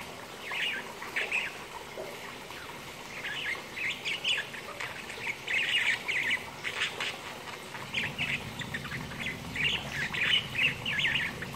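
A budgerigar warbles in a rapid, scratchy stream of chirps, clicks and squeaky notes.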